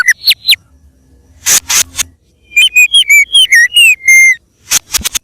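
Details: White-rumped shama singing as a bird lure: brief falling notes and broadband clicks, then a run of clear whistled notes that step and waver downward before ending in sharp high chips.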